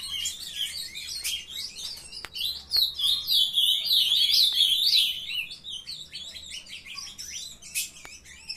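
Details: Captive young Ultramarine grosbeaks practising song: scratchy high twitters, then a clearer run of sweet, wavering whistled notes in the middle, trailing off into softer chatter with a few sharp ticks.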